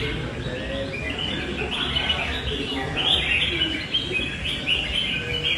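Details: Red-whiskered bulbul in a fighting bout, noted for long, loud song and flared tail. Continuous bubbling whistled phrases rise and fall at mid-high pitch over a steady noisy background.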